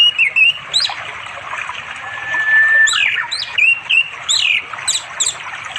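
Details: Male orange-headed thrush calling for a female to mate in the late afternoon, by a flowing stream in unspoilt village forest in East Java, sings a varied run of clear, slurred whistles and quick chirps, with one long level whistle midway, over soft hiss.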